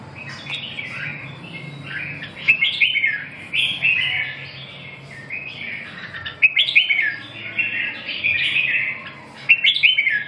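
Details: Red-whiskered bulbul song of lively, slurred whistled phrases, each a rapid run of up-and-down notes, repeated every one to two seconds over a low steady background hum.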